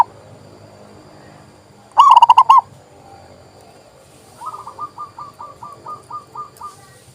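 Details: Zebra dove coo phrase, a quick stuttering burst of about six pulsed notes, followed after a pause by a faint, evenly spaced series of about ten soft, short coos from farther away.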